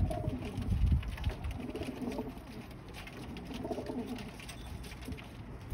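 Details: Pigeon described as Japanese giving soft, low cooing phrases, a muffled throaty coo near the start, then two more drawn-out hums around the middle, over steady low rumble and background hiss in an enclosed space.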